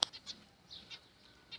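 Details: Zebra finches in a home setup give short, nasal, high-pitched calls in quick bursts during a fight.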